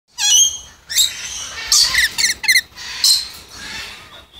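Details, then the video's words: Moluccan red lories of a pure subspecies give a run of loud, harsh shrieks and screeches, several in quick succession with short gaps between. "Moluccan Red Lories"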